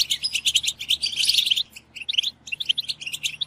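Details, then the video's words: European goldfinches in a collective chirping chorus meant to excite other goldfinches into singing: dense high tinkling twitters and liquid chirps from several birds, a brief lull near the middle before the chattering resumes. "بتبتة جماعية تجنن الحسون_بتبتة لتحفيز الحسون حتى الهيجان_اقوى بتبتة جماعية لتحفيز الحسون على التغريد"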